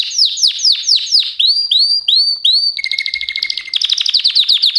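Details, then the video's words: Canary singing a varied sequence: loud falling notes repeated quickly, then rising curved whistles, a low steady buzzing roll, and a final rapid high trill. "Kanarya sesi | Kanarya ötüşü | Canary Sound"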